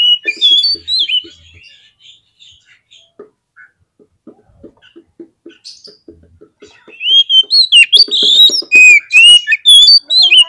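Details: Oriental magpie-robin lure song for provoking fighting birds: opening whistled phrases fade into a long run of quiet ticking clicks, then loud varied whistles and chattering notes return strongly at the end.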